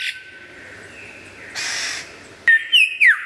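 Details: Lyrebird singing clearly: a soft sustained tone and a rough hissing burst, then three loud, sharply bending whistled notes in quick succession.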